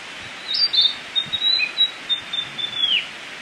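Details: A Tledekan kembang sings in the wild in Indonesia: a thin, high phrase of about two and a half seconds, a sustained shrill note broken by quick twittering flicks and ending in a slight downward slur, over faint outdoor hiss.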